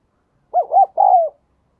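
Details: Spotted dove used as a decoy, cooing to call wild doves: one clean phrase of two short arched coos and a long, slightly falling final coo, in a quiet setting.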